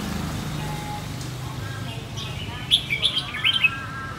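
A red-whiskered bulbul gives a quick phrase of six or seven bright, chirpy whistled notes over about a second, against a steady low rumble of traffic.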